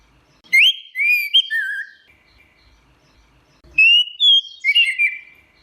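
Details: Teler-style song of an orange-headed thrush, two bursts of fluent whistles, rising and falling slurs and buzzy twittering notes with a long silent gap between them.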